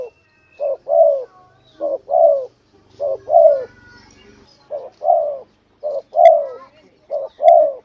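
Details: Spotted dove calling vigorously as a lure: six pairs of mellow hollow coos, a short note then a longer downslurred coo, about one pair per 1.2 seconds, over a faint low hum.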